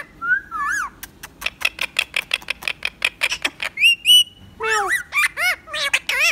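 A pet rose-ringed parakeet mixes shrill rising whistles with a quick run of sharp clicks, then ends on raspy, speech-like mimicked phrases.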